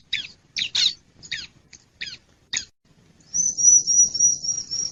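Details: Wild bar-winged prinia lure call: a row of sharp, high descending chirps, then a steady, high, wavering trill lasting nearly two seconds.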